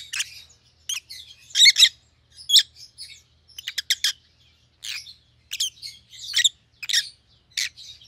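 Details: Rosy-faced lovebirds of the white-headed opaline type, pallid and green siblings, making shrill chirps and squawky notes at irregular intervals, with a quick triple chirp near the middle and soft chatter between.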